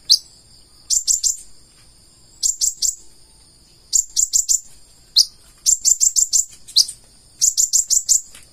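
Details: Purple-throated sunbird, konin, singing energetically in the full isian style: rapid runs of three to five shrill, high chips, separated by brief gaps and by single sharp notes.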